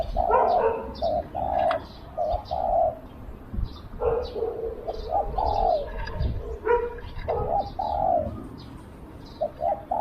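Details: Spotted dove kept as a decoy to attract wild doves, cooing in low overlapping phrases among busy high chirps, clicks and handling noise.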